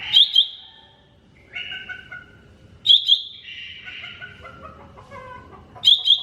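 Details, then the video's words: Cucak ijo mini, the greater green leafbird, sings masteran-style: phrases about every three seconds, each opening with doubled piercing notes, then long high whistles sliding down into varied lower warbled tones. "MASTERAN CUCAK IJO MINI"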